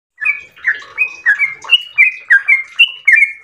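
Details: Yellow-vented bulbul singing in the long, melodious 'ropel' style: about ten quick, bubbly notes, each a short downward slur joined to a level whistle, delivered in a steady run.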